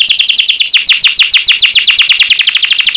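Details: Master song of a champion canary for training birds: a steady, rapid series of sweeping downward whistled notes, roughly ten per second, loud and continuous.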